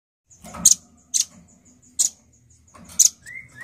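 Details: Male nuthatch calling vigorously: four sharp, high, clicking chips spaced about half a second to a second apart, thin high tones between them, and a short rising whistle near the end.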